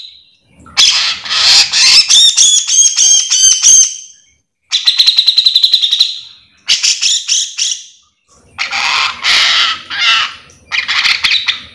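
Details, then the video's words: Grey-cheeked bulbul in full gacor song, meant for tutoring or luring other birds of its kind; several bursts of dense harsh chattering with some whistled slurred notes, broken by short silences. "Cucak jenggot gacor full mbeset"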